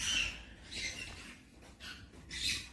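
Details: Young pet Eclectus parrot being weaned gives four harsh, hissing squawks in under three seconds, repeated insistently as it begs for food though hungry and offered fruit and vegetables.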